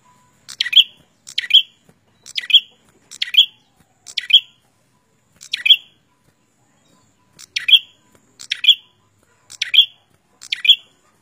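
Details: Prenjak (prinia) singing gacor, meaning in full, lively voice: sharp, high chirped notes with a bright peak, given singly or in quick pairs, repeated roughly once a second with a short pause midway; otherwise quiet.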